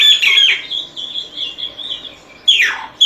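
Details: Solitary cacique singing a loud, harsh opening squawk, a wavering nasal trill, and a sharply descending raspy call at the close.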